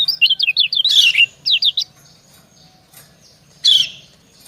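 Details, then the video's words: Female white-eye (kecial kuning) answering a male: a brisk string of high wavering chirps, a harsh buzzy burst, then a few more chirps and one final rasp. "Suara ciak kecial betina mendayu merayu jantan"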